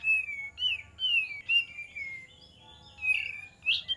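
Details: Olive-winged bulbul singing, recorded as a lure: a run of clear whistled notes, each sliding downward, given in quick succession and ending with a brighter upslurred note; low background hum.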